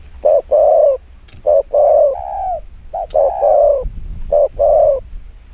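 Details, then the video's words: Fast 'chiêu gù kích bổi' coo series from a spotted dove: four clear phrases, each a brief note followed by a longer mellow coo, roughly one phrase per second, with occasional clicks. "Tiếng chim quân tử chiêu gù kích bổi cực nhanh"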